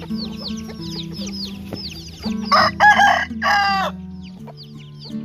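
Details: Roosters among chickens at feeding time: a loud, harsh, strained crow in two broad bursts mid-clip, with high chirps before and after and steady background music underneath.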